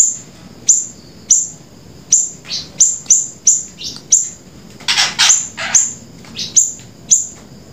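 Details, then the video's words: Grey-breasted prinia in busy 'gacor' song, used as a bird lure and tutor recording: repeated piercing high chips falling in pitch, with a cluster of harsher, broader buzzy notes midway. "flamboyan gacor"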